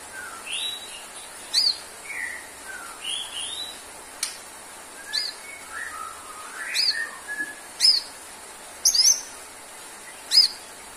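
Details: White-rumped shama (murai batu) singing as therapy song for a bird low on stamina: varied clear whistled phrases, upslurred and downslurred notes mixed with sharp high chips roughly once a second, over faint steady hiss.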